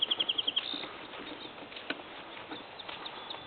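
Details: Birds in a field in springtime, 20 April 2021: a quick series of about six high, even chirps runs for half a second, followed by scattered faint chirps over steady background hiss.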